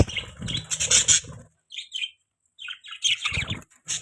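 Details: Budgie chirping in short bursts: a busy, bright twittering phrase, a pause with a couple of isolated high chirps, then another lively burst of sharp tweets.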